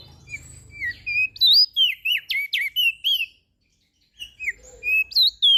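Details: Lombok crested white-eye delivering energetic song for training silent birds: dense runs of high whistled and chattering notes, a pause of about a second, then more rapid sweeping whistles.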